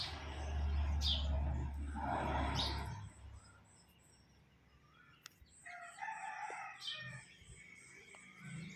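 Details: Rooster crowing in a village garden early in the morning, when chickens, sparrows and koels call after waking; a loud drawn-out crow opens, followed by softer distant crowing, with high chirping birds and rustling throughout.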